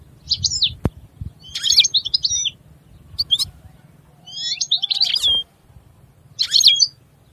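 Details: European goldfinch delivering short bursts of tinkling, chattering high notes separated by pauses, with a steady low hum and a click in the background.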